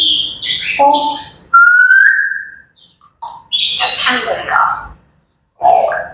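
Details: Grey parrots chattering in the morning: a mix of squawky, speech-like syllables, a clear rising whistle held for about a second, then harsh broadband bursts and a final nasal call.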